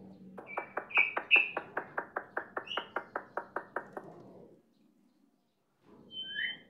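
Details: A kept starling sings energetically: a fast, even run of about fifteen sharp clicking notes, a couple of higher whistled accents within it, then a short pause before two clear whistles close the phrase.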